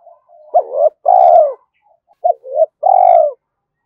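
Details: Calling spotted dove used to draw wild doves: two phrases of a short rising note, a hooked upslurred note and a long flat coo, with quiet lead-in notes at the start.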